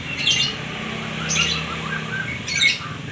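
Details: Song of a white-rumped shama: three harsh, bright broadband bursts about a second apart, with soft whistled notes between them and a low background hum.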